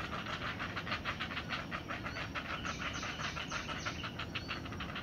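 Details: Great blue heron chicks in the nest, not-so-small young awaiting their mother's return with food, giving rapid, regular ticking pulses about three per second over a steady hiss of background noise.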